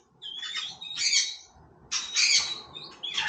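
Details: White-rumped shama singing casually: two bursts of harsh, buzzy, broadband notes with a thin whistled thread high above, separated by a short pause and followed by a brief third note.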